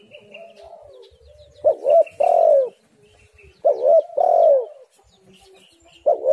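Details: Spotted dove calling, played to lure doves into singing: soft cooing at first, then two loud phrases of a short coo and a long rolling downward coo, and a third phrase starting at the end.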